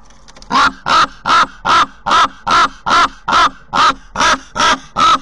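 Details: Common raven at a nest used by ravens in past years, filmed by a nest camera in Corbera de Llobregat, Barcelona: harsh, hoarse calls repeated steadily about every 0.4 seconds, twelve in a row.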